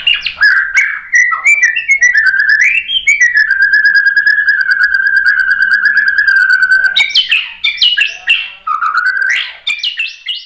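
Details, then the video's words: White-rumped shama song meant to provoke a rival bird to sing: a long sustained, slightly wavering whistle held for several seconds, framed by quick rising and falling whistled flourishes and chattering notes. "KICAUAN MURAI BATU merangsang BUNYI jadi NYAUT GACOR NGEPLONG BONGKAR ISIAN ¦ PANCINGAN MURAI"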